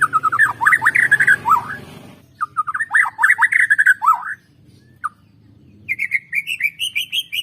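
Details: White-rumped shama song used as a lure to get birds singing. Rich, rapid phrases of looping whistles and slurs come in two bursts, separated by a short pause and a single clipped note. A brighter, rising series closes it.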